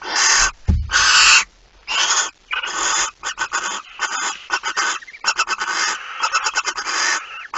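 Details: Barn owl at night, 9 September 2019, 02:18: a dense run of rasping, hissing shrieks, long bursts at first, then shorter ones crowding together in quick ragged succession, about seventy per minute, with a brief low thump near the start.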